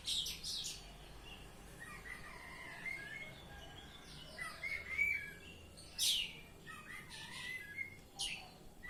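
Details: Ngeplong-style song of an Oriental magpie-robin: buzzy high bursts open, then drawn-out whistles and slurred phrases, a sharp descending note near the middle and scattered harsh chips toward the end.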